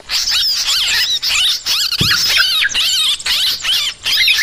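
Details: Yellow-vented bulbul lure calls: loud, overlapping high chirps and bouncing slurred whistles come in bursts with short breaks, and a brief low knock sounds midway.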